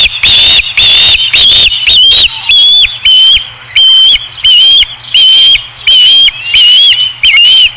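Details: At the Dunrovin Ranch nest on 5 August 2016, an osprey gives a long run of shrill whistled notes, roughly eleven, about one and a half per second. Some notes bend upward and others flatten out.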